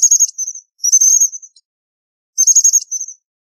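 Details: American bushtit calling: three short bursts of very high, thin, buzzy twitters, each a quick cluster of sibilant notes followed by a softer trailing note, separated by pauses, in an otherwise silent background.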